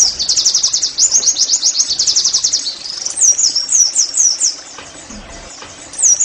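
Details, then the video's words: Oriental white-eye (pleci) song used as therapy to get caged birds singing: rapid, high, thin twittering phrases of quick repeated descending notes, then looping slurred whistles, in bursts. "TERAPI NEMBAK PLECI I, Agar Pleci anda cepat GACOR"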